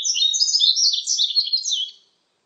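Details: Song of a yellow-throated bunting, 2020 archive recording: one continuous two-second phrase of high, quick chirps and slurred twittering notes that fades at the end, with nothing else audible.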